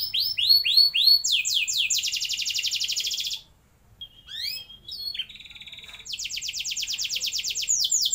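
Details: Lure singing from a canary meant to get young canaries rolling: a few swooping descending notes, a long dense buzzy trill, a short silence, a level whistle, then renewed fast high trills.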